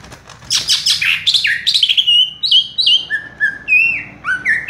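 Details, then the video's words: Green leafbird, locally cucak ijo, singing "raja tembak" in a cage while staying on one perch: scratchy, buzzy notes at the start give way to clear, falling whistles and swooping rising phrases. "cucak ijo " raja tembak ""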